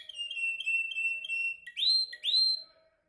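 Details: Canary in song training, singing a run of short whistled notes on a steady pitch, then two loud rising upswept whistles, clean and indoor-sounding with a faint low hum beneath.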